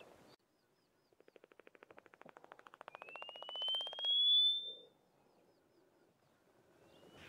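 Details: Cape clapper lark performing its aerial display early in the morning in late winter: a rapid series of dry wing claps that quickens steadily over about three seconds, followed by a long, thin, rising whistle, then quiet.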